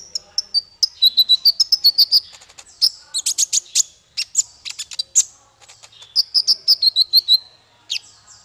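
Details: Male Van Hasselt's sunbird singing steadily, played to teach songbirds: lively runs of rapid high tinkling notes, descending whistled phrases and shrill chirps, almost without a break.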